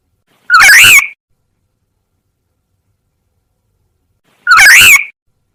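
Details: Lure call of the black-naped oriole for drawing in wild birds: a rough, buzzy, mewing note that dips and rises, given twice about four seconds apart, with nothing else heard.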